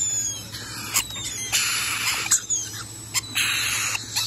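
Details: Rainbow lorikeet calls: rough, broadband screeching in bouts, with thin high whistled streaks running between the harsh notes, and a low hum in the background.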